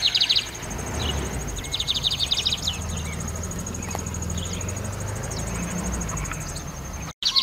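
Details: Lined seedeater song: short bursts of fast, high buzzy notes near the start and around two seconds, set against a steady low rumble and a constant high whine.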